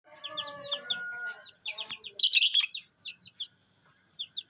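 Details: Lovebird giving rapid, shrill, high chirps in quick runs, with a harsh squawking burst at the midpoint, then scattered short tweets; faint lower tonal notes underneath early on.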